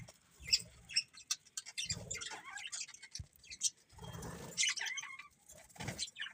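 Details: Several budgerigars chirp in scattered short, high, scratchy bursts with quieter gaps between them, plus a few soft low thumps.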